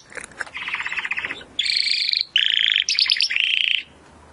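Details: Timbrado canary performing rolling song in canary training audio: a low buzzy trill followed by several loud, dense high rolls in quick succession, over a faint background hiss.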